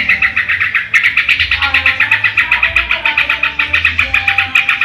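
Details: Yellow-vented bulbul; song; lure to get other birds singing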